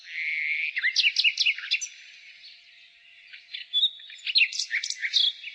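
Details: A nightingale sings in spring with two bursts of loud, varied chirps and sharp downslurred notes separated by a quieter pause, over a steady backdrop of high birdsong.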